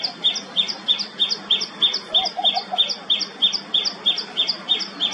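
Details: Loud, ringing repeated notes from a common tailorbird, each short and sharply pitched, paced evenly at about three a second. A brief low chattering from another bird sounds midway.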